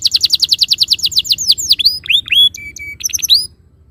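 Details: Rapid canary trill shifting into curving slurs and short flat whistles before stopping, played as a lure to get canaries singing their rolls.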